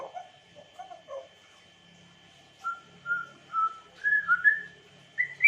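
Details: Melodious whistling from an African grey parrot: soft wavering notes at first, then clear steady whistles rising step by step in pitch, ending in a high drawn-out note.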